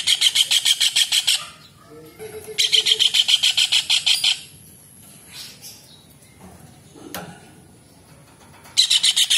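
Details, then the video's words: A kingfisher gives bursts of fast, harsh, high chattering notes, each burst lasting over a second, with quiet gaps and a faint steady whine between. "TENGKEK UDANG / CEKAKAK GACOR / RAJA UDANG"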